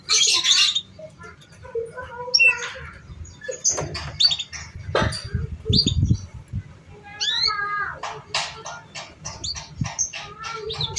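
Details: Canary song used as a training lure for young, still-untrained canaries: a dense, busy run of sharp chirps, clicks and short trills, with rising and falling whistled sweeps near the end over a low background rumble.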